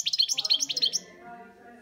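A European goldfinch gives a quick burst of bright, tinkling twitters, about a dozen high notes in one second, then falls silent over a faint background hum.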